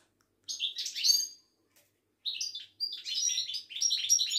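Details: Ouidani goldfinch from Morocco at a Casablanca bird market. A clean recording: a high twittering phrase, a pause, then a long rapid stream of sweet, liquid notes and trills.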